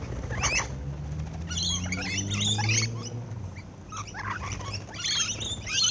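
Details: Rainbow lorikeets seen close up while feeding, giving scattered harsh, screechy chatter in short bursts, with a steady low hum underneath.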